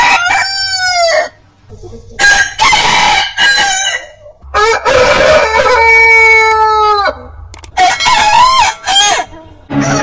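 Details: Several rooster crows in sequence, some short and wavering, one long crow of about two seconds falling at its end, with rough, noisy bursts between the crows.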